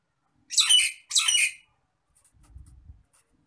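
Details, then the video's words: Nias hill myna, described as raging, used as a tutor recording: two loud, grating, broadband screeches in quick succession, followed by faint low rumbling. "MASTERAN BURUNG JALAK NIAS NGAMUK"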